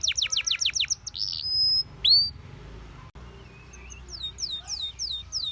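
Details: Canary song for training: a short run of fast descending notes, a buzzy burst and one loud rising slur, then a softer, distant-sounding trill of slanted notes over faint background hiss.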